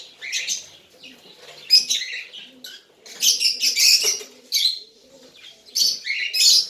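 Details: Tame cockatiel chick calling with scratchy, buzzy chirps grouped in bouts of several notes, pauses between bouts, with faint low rustling underneath.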